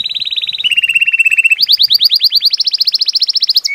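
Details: Belgian canary singing: a sustained trill near the top, dropping to a lower steady trill, then a long run of rapid rising whistled notes repeated many times a second, loud and clean.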